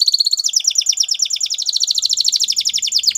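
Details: Belgian canary singing a fast, steady high trill of repeated chirping notes, about a dozen per second, with faint low background hum.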